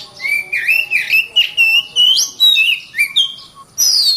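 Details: Oriental magpie-robin, kept caged for singing contests, in a rich song of smoothly gliding whistles and warbled phrases, ending after a short gap with a high descending slur.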